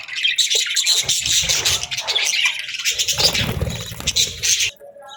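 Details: Budgerigars in morning chatter: a thick, unbroken wash of high scratchy chirps and warbles over two stretches of low rumbling, ending abruptly in near quiet.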